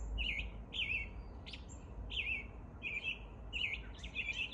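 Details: Morning song of an American robin in spring, a series of warbled, slightly rough caroling phrases delivered roughly every half second, with a brief sharp high note midway and steady low rumble underneath.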